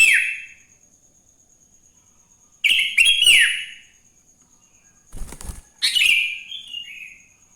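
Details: Sooty-headed bulbul in the morning, recorded to prompt other bulbuls to sing: scattered whistled phrases with falling slurs between long pauses, plus a brief rustling flutter in the middle.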